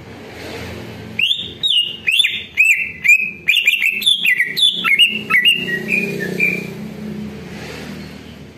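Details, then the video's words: Greater green leafbird song as a lure for other birds to answer: a rapid sequence of rich whistled notes, each opening with a crisp chip, rising and falling in pitch for about six seconds before quiet background hum. "CUCAK IJO DI JAMIN BUNYI DAN LANGSUNG NYAUT"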